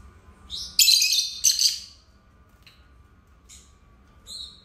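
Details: Pet lovebirds, two birds kept together, produce a loud shrill burst of squeaky, buzzy chirps lasting about a second, then a few faint thin tweets after a quiet gap.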